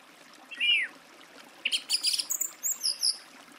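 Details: Song thrush singing: a single arched whistle, then a burst of very high, scratchy, twittering notes, with a steady rushing background.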